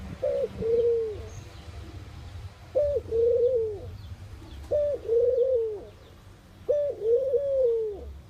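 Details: Repeated cooing of a mourning dove: four soft, hollow phrases at steady two-second intervals, each a quick short note then a longer wavering tone that tails off, in otherwise quiet surroundings.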